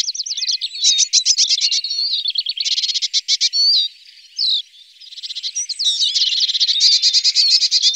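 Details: A siskin feeding in an alder, delivering a long, busy twittering stream of high chirps and rattling trills, broken by two short wheezy notes around the middle, then resuming densely.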